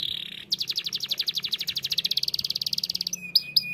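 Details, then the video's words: Canary in full, lively song: after a brief steady tone, a fast trill of bright, evenly spaced notes runs for about two and a half seconds, then ends in a few sharp, high clipped notes. "TERAPI BUNYI BURUNG KENARI GACOR!!"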